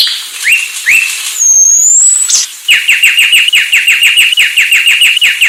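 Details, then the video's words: Sulawesi myna: two upslurred chips, a long pure high whistle, then a steady rapid series of about twenty sharp downward chips, evenly spaced. "#kicauburung Anis Sulawesi"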